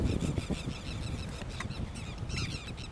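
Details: Dolphin gulls recorded on 28 October 2021 at the Rio Gallegos estuary in Santa Cruz, Argentina; dense overlapping scratchy calls from several birds, with strong wind noise underneath.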